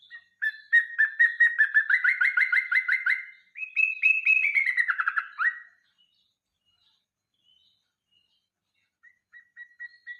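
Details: Yellow-vented bulbul song used as a lure for songbirds: series of rapid, repeated whistled notes, each rising and then falling, climbing higher midway before a dropping run, then a pause and faint repeated notes.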